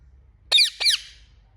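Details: Two loud, harsh parrot squawks about a quarter second apart. Each is a strong, nasal, downward-bending cry, over a faint low hum.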